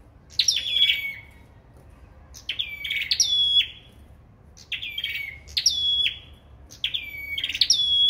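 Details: A sâu đầu đỏ bird singing in a singing contest gives high, ringing phrases of quick notes ending in long descending whistles. Groups of two or three phrases are separated by gaps of about a second.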